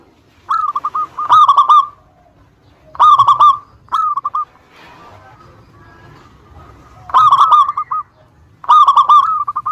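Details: Lure song of a local Indonesian zebra dove, meant to make rival birds answer: clustered rolling, fluty coo phrases repeated at irregular intervals, with a quiet gap in the middle.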